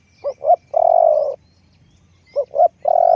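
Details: Decoy spotted dove calling in quick succession: two short rising notes then a long, even croo, the phrase repeated twice in a few seconds over a quiet background.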